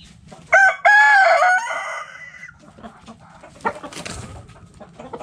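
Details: Rooster in a backyard chicken coop crows loudly: a short note, then a long harmonic cock-a-doodle-doo held about a second and a half before fading, followed by soft clucks and rustling.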